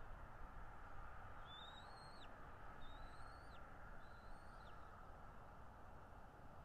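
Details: Bald eagle at its nest in North East Florida on 13 February 2022, mid-morning, picked up by a nest camera: three thin, high, whistled notes, each level then dropping sharply at the end, spaced about a second apart over steady background hiss.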